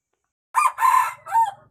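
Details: Red junglefowl from the wild giving a brief hoarse crow in three parts: a short opening note, a longer loud middle phrase, and a falling final note, with a faint low hum underneath.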